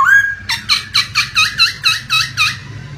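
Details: Laughingthrush sound used to provoke a silent bird into song: one whistled note followed by about eight harsh, squawky repeated notes, roughly four per second, over a soft rush of running water.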